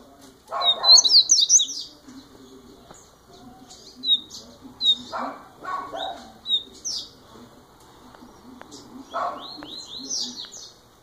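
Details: First-year double-collared seedeater, a young bird, delivering a run of sharp high-pitched whistles and chattering twitters in irregular bursts, with intermittent low thuds and rustling nearby.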